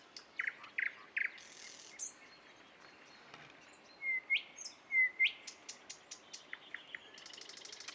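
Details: At Dubki a nightingale delivers a few thick chattering notes, pauses, then gives rising whistled phrases and a trail of short ticking notes.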